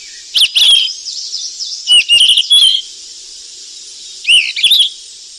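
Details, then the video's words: Flycatcher feeding its chicks in the wild: clusters of high, rising whistles mixed with rapid chirps, with faint twittering between the bursts, over a persistent high hiss. "BURUNG SIKATAN EMAS YG CANTIK DI ALAM LIAR LAGI LOLOH ANAKNYA PLUS SUARA MASTERAN"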